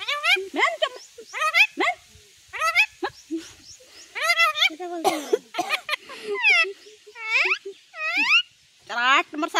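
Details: Domestic talking parrot chattering in a rapid run of high, harmonic, speech-like syllables with swooping upward and downward slides, in bursts separated by brief pauses, sounding mimicked and squawky, with a quiet room background.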